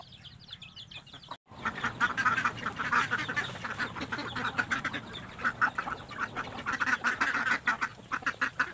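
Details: Ducks crowding to eat after feed is put out, breaking into loud, continuous nasal quacking from many birds at once after a brief break at the start.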